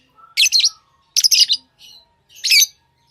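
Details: Pet lovebirds chirping: three loud bursts of harsh, shrill chirps about a second apart, with faint thin whistles between them.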